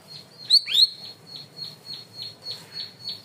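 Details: Cream-vented bulbul in a loud, clear training recording: two bright upslurred notes, then a run of soft, evenly repeated high ticks.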